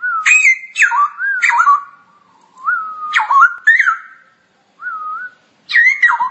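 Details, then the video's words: Straw-headed bulbul, locally cucak rowo, in 'ngoceh' tutoring song: clear, liquid whistles that swoop up and down, sharp rising notes mixed with level mellow tones, broken by short pauses. "Kicau Cucak Rowo Ngoceh Masteran"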